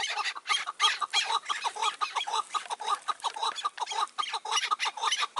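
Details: Chukar partridge in May 2024, recorded during trapping with a caged decoy and wary wild birds: loud, fast, rasping chuk notes, about three per second, overlapping in an excited chattering run.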